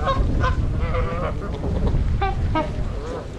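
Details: Trumpeter swans, part of a wintering flock of 42 (26 adults, 16 juveniles) at Gallup Park, Ann Arbor, Michigan, on January 8, 2022, recorded on a GoPro: nasal, horn-like honks in quick bursts over a steady low rumble.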